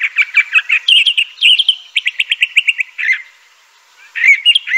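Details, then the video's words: Crissal thrasher singing a lively, varied run of phrases: choppy chirps, then a quick series of evenly repeated clear notes, a brief pause, and more warbled notes. The setting is quiet, with no other clear sounds. "Crissal Thrasher bird song."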